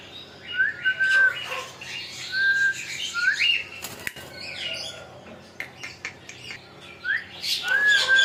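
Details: Talking parrot giving clear rising and flat whistled notes in short bursts, mixed with harsher chattering calls and a sharp clatter midway, ending on another whistled phrase.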